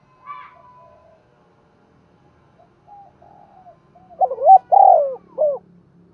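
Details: Caged spotted dove decoy calling to lure in wild birds: a faint opening note and soft coos, then a burst of three loud, low, hoarse coos near the end.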